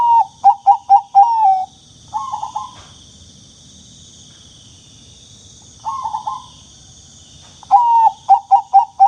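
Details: Bangkok-type zebra dove, used to coax rarely singing doves into calling: a series of five short clear coos, then rolling trilled phrases and more short coos, over a constant high whine and low rumble.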